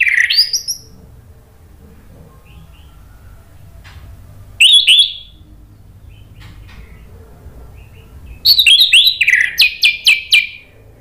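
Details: Orange-headed thrush lure song aimed at making a quiet bird respond: short loud phrases separated by long silences, ending in a rapid run of about eight clipped notes.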